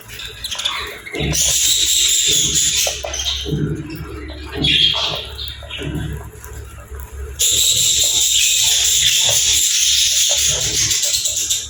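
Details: Pet budgerigars chirping playfully: dense, buzzy, high warbling chatter in bursts, with short gaps in the middle, then a continuous loud stretch toward the end, over low background rumble.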